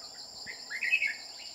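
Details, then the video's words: Red-whiskered bulbul heard during decoy trapping aimed at a bell-voiced male: one short, bubbling whistled phrase that swells in the middle, with a steady thin insect whine throughout. "Bẫy chào mào đang săn em bố giọng chuông bị con phá đám"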